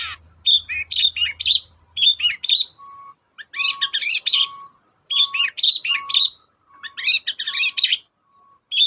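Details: Lure song of a long-tailed shrike, meant to push reluctant shrikes into singing: harsh, rapid chattering phrases of varied sharp notes with short gaps, some lower steady tones between them, and a low hum at the start.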